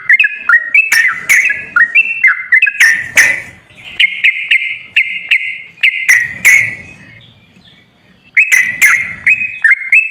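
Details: Sooty-headed bulbul lure song, played to coax a quiet kept bird into singing: bright whistled notes jumping between two pitches in quick phrases, with sharp broadband clicks and a brief lull before the phrases resume.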